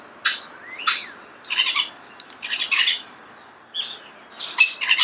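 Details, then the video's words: Close starling song in a natural setting: scratchy chattering bursts and squeaky notes, separated by short gaps, with a thin whistle between them. "The song of the starling"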